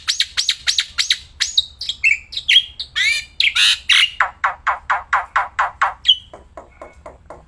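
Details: Black-winged myna, kept bird, singing non-stop, outdoors and in the hand: quick squeaky chirps, buzzy rattles and a long series of loud harsh repeated notes, tailing off into softer clicks.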